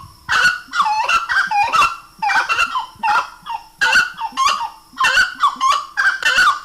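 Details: Loud song of a grey-necked wood rail. Nasal, honking double notes tumble in fast, uneven bursts, each phrase bending down then up, with short pauses between groups.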